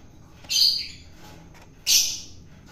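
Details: Wild-caught long-tailed shrike being fed to tame it gives two loud, rasping squawks about one and a half seconds apart, each a short noisy burst, with quiet between.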